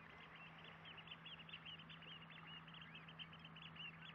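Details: A flock of Dunlin (Calidris alpina) on a tidal flat in Japan in February 2020 keeps up a dense, continuous twittering of short, buzzy, high calls, overlapping without pause, over a steady low mechanical hum.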